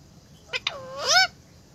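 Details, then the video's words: A parrot gives two short sharp clicks, then a loud harmonic call that curves downward and rises again, ending in a raspy upper edge; faint steady background hiss. "raw parrot"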